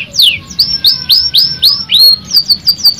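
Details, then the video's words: Canary song for stimulating a stressed canary to sing: loud rising-then-falling whistled phrases repeated about every quarter second, followed by quick high twittering notes over faint low background noise. "PANCINGAN KENARI STRES BUNYI JADI GACOR NO 1 | CANARY SINGING"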